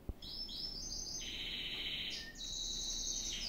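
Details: Gloster canary holding long, even rolls of rapid trilled notes, stepping from a high tour down to a lower one and back up again with hardly a break.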